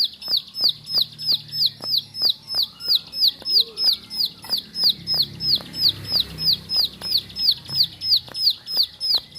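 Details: Bar-winged prinia in a home setting sings a long, regular chain of high, arching whistled notes, nearly three per second, over light tapping clicks and a soft low rumble.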